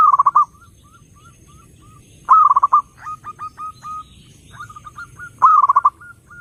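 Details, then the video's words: Zebra dove singing to attract other doves: loud clipped trilled bursts open and close the phrase, with a string of soft, evenly spaced short coo notes in between. "SUARA BURUNG PERKUTUT _JERNIH_💯AMPUH_SEKALI PUTAR SEMUA PERKUTUT LANGSUNG NYAMBER"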